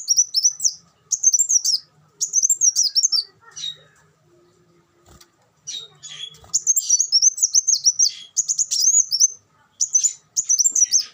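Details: An olive-backed sunbird sings long strings of rapid, shrill chipping notes in steady bursts, with a pause midway before a longer, denser twittering run resumes.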